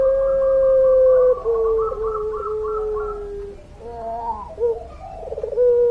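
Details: Long-voiced puter pelung dove: an extended, slowly falling coo lasting over three seconds with a faint fluttering overtone, followed by bubbling notes and a fresh steady coo.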